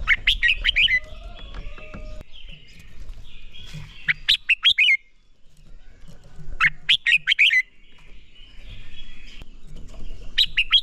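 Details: Red-whiskered bulbul training song meant to push birds into bright fighting song: three short phrases of rapid, ringing whistled notes, each phrase about a second long and spaced a few seconds apart, over low background hum.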